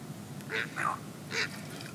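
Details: Pacific reef heron on Heron Island, Great Barrier Reef, Queensland, Australia, at 08:50 on 28 July 2019 gives three hoarse, croaking squawks, two close together and one after a short pause, over a low background rumble.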